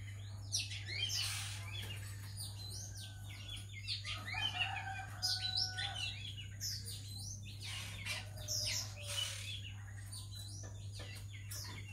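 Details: Oriental magpie-robin, a female used as a decoy in a trap at home: a busy run of short, high chirps and whistled notes, some rising and some falling, over a steady low hum.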